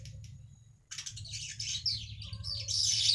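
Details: Weaver song played as a lure to attract wild weavers: after a near-silent start, dense high buzzy chattering and sizzling trills build steadily louder, over a steady low hum.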